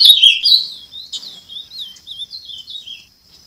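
Ultramarine Grosbeak song: a loud, sweet warbled phrase opening high, then softer rising and falling whistled notes trailing off over three seconds.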